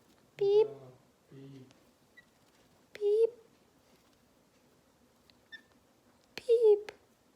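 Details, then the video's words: A pet green-cheeked conure gives three loud, squawky chirps about three seconds apart while interacting with its owner, with a brief low human voice between them. "Green Cheek Conure Sounds"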